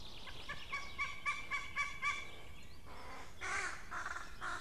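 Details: Crow parents giving warning calls on 17 May 2016 in the evening: a run of repeated, evenly spaced tonal notes, then harsher, broader cawing bursts near the end.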